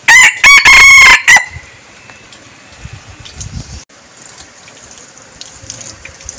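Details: Red junglefowl decoy bird giving a strong, clipped crow in four segments right at the start, followed by several seconds of quiet with only faint background rustle.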